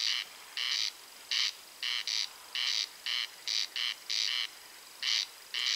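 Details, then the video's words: Night-time song of two corncrakes close together near Spała, May: harsh, rasping two-part calls in steady pairs, the grating notes alternating and overlapping slightly between the birds, with no other sounds. "Corncrake singing / Głos Derkaczy"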